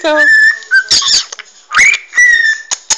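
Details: A pet parrot seeking cuddles, whistling while its head is scratched; a buzzy harmonic note opens, followed by noisy chatter bursts and a rising whistle that levels off into a long steady tone.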